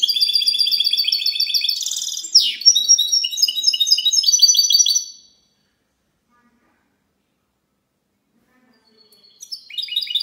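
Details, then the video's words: Clean-style song of a goldfinch mule, recorded 19 March 2020: five seconds of fast, bright twittered phrases with a buzzy sweep in the middle, then silence, and the bird resumes its high chatter near the end. "mixto de jilguero cante limpio"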